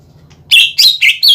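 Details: Greater green leafbird lure phrase: four loud, bright chirped notes in quick succession over a faint hum.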